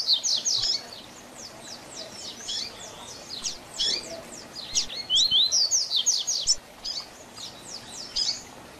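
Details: Double-collared seedeater singing the distinctive Tui Tui Zel Zel song style, used as a tutor song for training young birds; rapid high, sharply slurred notes in dense bursts, with brief pauses and louder phrases toward the middle.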